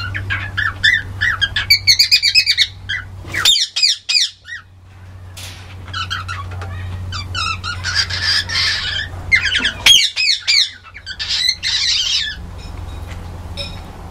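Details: Young cockatiel singing a jumble of bright, warbling whistles and chirps, with a steady low hum behind.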